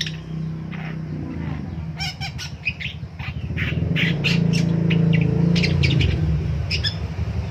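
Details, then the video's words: A long-tailed shrike calling in the morning gives harsh, scratchy squawks and chattering notes in quick bursts over a loud, steady low mechanical hum. "DENGERIN PENTET BUNYI DI PAGI HARI"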